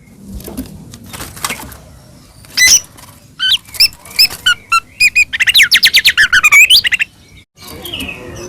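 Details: White-rumped shama, a lively singing bird used to provoke other shamas into song. After a quiet noisy start, loud sharp chirps and then a fast burst of high, squeaky, rapidly repeated notes, ending in a soft hiss.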